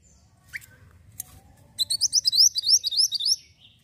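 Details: Javan white-eye singing in lively 'gacor' form: a few sharp high chips, then a fast, bright trill of rising, whistled notes for about a second and a half, over faint low background noise.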